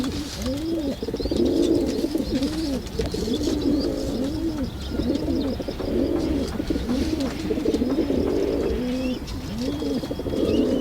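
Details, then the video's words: Repeated arched pigeon coos, deep and rolling, come roughly every second from a group of birds, with steady murmuring and faint high chirps throughout. "Pigeon sound Effect"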